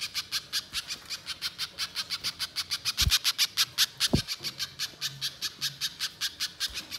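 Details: Spiderhunter in strong voice, a lure recording for wild birds, pouring out an unbroken run of harsh, high chipping notes at a quick even pace, with two low knocks partway through.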